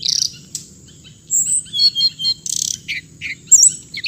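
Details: A hồng hạnh bird mixes buzzy rasping bursts with thin high whistles and quick twittering notes in a busy, uneven phrase, with a faint continuous high tone.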